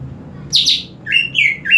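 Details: Green leafbird sprayed with water, its singing intensifying: a harsh buzzy double note, then three clear whistled notes slurring downward in quick succession.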